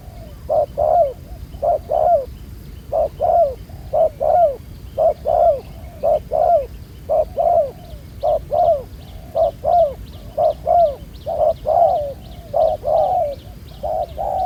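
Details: Field-caught spotted dove with black neck spots cooing fairly well at a ground trap: long run of mellow low coo pairs, short then sliding down, roughly one pair per second, faint high ticking in the background.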